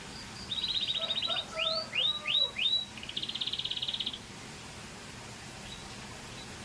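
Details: Song of a Scotch Fancy canary: a fast buzzy trill, a handful of loud swooping whistles, then a second dry rattling roll ending in quiet, with a steady low hum beneath.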